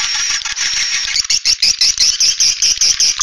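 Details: Swiftlets give a roosting call used to lure birds to a nest house, twittering shrilly, first as a dense buzzy chatter, then as high, clipped chirps about five a second.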